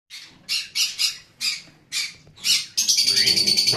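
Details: Lovebird giving a run of harsh, loud squawks, six separate bursts in about two and a half seconds, then a rapid buzzy chattering series at the end.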